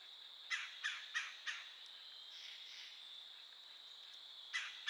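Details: A woodpecker gives a quick burst of four harsh, nasal calls, pauses, then calls twice more over a steady high-pitched hum, recorded alongside a yearling doe.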